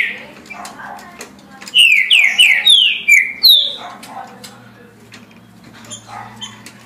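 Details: Green-winged saltator singing at a pace of 17 songs a minute: one phrase of five loud, slurred whistles, each sliding downward, delivered quickly in the middle of the clip, with faint clicks and quiet background between.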